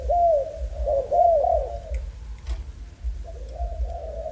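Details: Malaysian young spotted dove giving two or three strong curved coos at the start, then quieter, blurred cooing after a sharp click.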